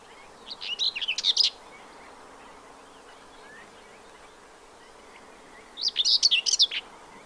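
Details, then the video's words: Common whitethroat singing in spring at the Séné nature reserve in Morbihan, France, recorded on 15 April 2023: two short scratchy, chattering warbled phrases about five seconds apart, high-pitched and rapid, over faint background hiss. "FAUVETTE Grisette/Sylvia communis/Printemps"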